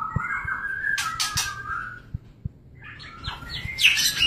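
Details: Mating white-rumped shama giving a long sliding whistle crossed by loud flapping bursts, a brief pause, then a rising run of quick whistled notes ending in a harsh burst.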